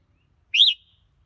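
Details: One short, bright whistled note from a red-whiskered bulbul. It swoops upward and falls away within a quarter second, heard alone against silence.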